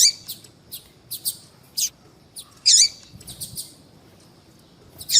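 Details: Call notes from a female double-collared seedeater, used by breeders to excite males: scattered sharp high chirps with one loud, rough, twisting call near the middle and another at the end.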